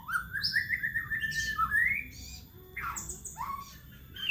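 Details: White-rumped shama singing a long 'gacor' song, offered as a lure to stimulate pet shamas at home: loud, varied whistled phrases, rising and falling slurs and sharp upward sweeps in quick succession, with brief pauses and a low background hum.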